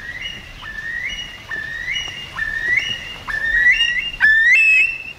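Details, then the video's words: Curlews circling overhead give a run of loud whistled calls, each sliding upward in pitch, repeated roughly every second and growing louder toward the end, with a second overlapping caller near the close. "The cry of the Curlew"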